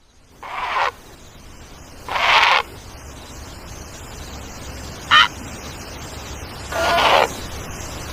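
An egret gives four harsh, raspy croaks at uneven intervals, one of them clipped short, over a faint steady background hiss.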